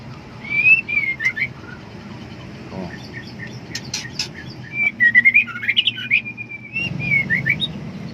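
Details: Calling female white-rumped shama, in heat and seeking a mate: bright whistled slurs and twittering notes in several bursts, with a few sharp clicks and a sustained whistle before closing phrases, low background hum.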